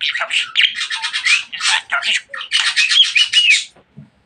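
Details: Pet budgerigar talking a lot, a dense run of scratchy, warbling chatter with squeaky whistles for over three seconds, then silence.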